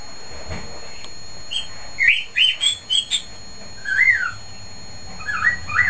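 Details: A pet cockatiel sitting in his cage gives a string of short upward-sliding whistles, then a longer wavering whistled phrase and a few softer notes, against low household background noise.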